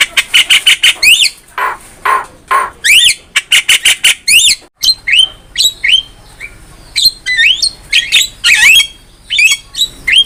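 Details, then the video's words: Javan myna in full song, played as a master recording for training songbirds: rapid harsh squawks and buzzy bursts, then clear rising whistles and chattering notes in quick succession. "MASTERAN JALAK KEBO GACOR"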